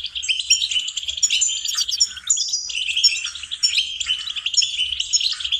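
A goldfinch sings a fast, continuous stream of bright twittering notes, tinkling trills and thin buzzy phrases, high-pitched and without pause.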